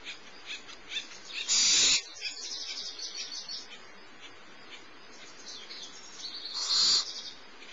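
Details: Barn owl owlet, the smallest of the brood, being fed by the adult female at Starr Ranch on 6 March 2011 around 10:30 in the morning; two harsh hissing bursts about five seconds apart over faint chirping and ticking background.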